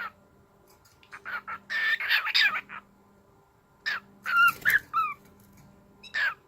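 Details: Pet cockatiel, male, excited while playing with his new food bowl; bursts of harsh chattering notes mixed with short whistled, downward-sliding phrases, separated by pauses, with a low steady hum indoors.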